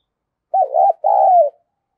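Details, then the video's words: Female spotted dove cooing to excite males: a two-part coo, a short wavering note followed by a longer, smooth note that slides downward, both low and mellow, in otherwise quiet surroundings. "cu mái gáy kích trống hiệu quả, trống nghe rất phấn khích và nổi nhanh"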